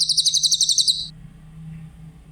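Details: Grey-headed canary-flycatcher song, a recording used to train other songbirds, described as clear-voiced: a fast, high, sharply pulsed trill of about a dozen notes lasting one second, over a steady low hum.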